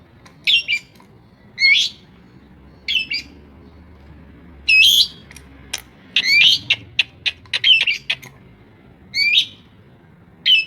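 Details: Long-tailed shrike singing a variety-rich mimicking song copying many other birds: harsh, scratchy squawks and chattering bursts given irregularly, with brief clicks and short silences between phrases.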